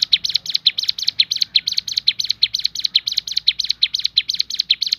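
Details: Javan sunbird singing its shooting variation: a fast, even run of shrill, chirped notes repeated about twice a second throughout.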